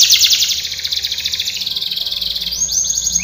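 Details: Canary training song: a dense, fast buzzy trill high in pitch for over a second, easing into slower pulsed notes, then short rising whistled sweeps near the end.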